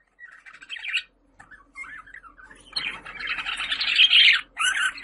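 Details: Call of budgerigars meant to summon pet budgies, a few soft chirps building into a steady, scratchy, chattering warble that breaks off near the end.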